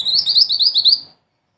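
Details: Mantenan, a small black-and-red songbird valued as a song tutor for its rolling 'ngerol tembak' style, delivers a rapid run of sharp, high, slurred chirps lasting about a second, then falls silent.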